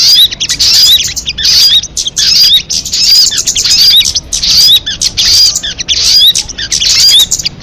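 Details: An MP3 crested jay call, described as most effective, with steady runs of harsh, hissy high bursts carrying small whistled upsweeps. The bursts are repeated fairly regularly, a little over once a second.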